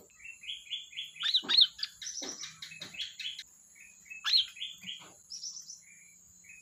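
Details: Sooty-headed bulbul singing vigorously: bright bubbly phrases with a sharp loud burst near the middle and again later, separated by soft short warbles, over a steady faint high whine.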